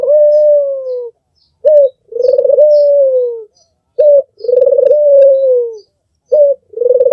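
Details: White albino Barbary dove with red eyes calling loudly, a short sharp coo followed by a long trilled coo that smooths into a sustained falling tone, repeated roughly every two seconds, faint chirps in the background.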